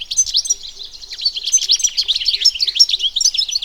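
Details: European goldfinch, a wild bird recorded in nature: dense, rapid, high-pitched twittering of tinkling notes and buzzy trills running without pause, with faint low regular ticks underneath.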